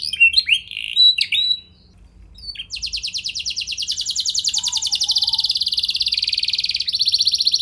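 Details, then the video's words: Canary singing as a lure for other canaries: a few scattered sharp chirps, a short pause, then a long rapid pulsing high trill that steps slightly in pitch. "Burung Kenari Kondisi Apa Saja Bisa langsung Respon Dengan Pancingan Kenari Gacor Satu Ini"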